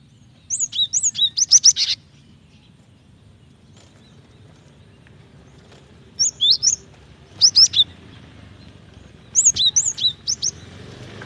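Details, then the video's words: Female cinereous tit calling to the male, a call used to prompt males to sing: bursts of high, sharp, rapidly repeated chirps with short downslurred notes, in three to four separate bouts with quiet gaps between, over a faint low hum. "Gelatik betina gacor memancing bunyi"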